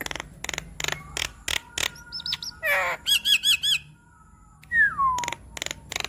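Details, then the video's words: Javan myna song with mimicked fill-ins, played as therapy for a stressed bird: a series of dry harsh notes, then a rapid chattering warble, a run of bright whistled chirps and a long falling whistle. "Terapi Jalak Kebo Stres Agar Cepat Gacor Dengan Kicauan Jalak Kebo Makun gacor Bongkar Isian"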